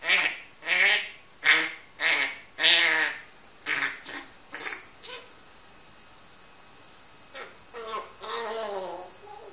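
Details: Pet grey parrot, one year old, producing a series of nasal, harmonic, quack-like syllables at an irregular pace indoors, then silence and a few softer drawn-out calls near the end.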